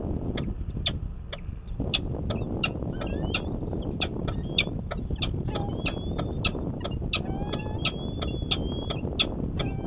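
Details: Peregrine falcon courting one March morning in 2020 in Manchester, New Hampshire: rapid clipped cackles interspersed with thin rising whines and squeals, set against steady low background rumble.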